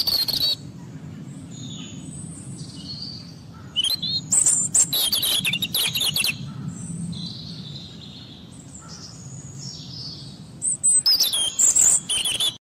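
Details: European robin singing: thin, high, varied phrases of sweet warbles and trills delivered in bursts separated by short pauses, over a steady low rumble of background noise.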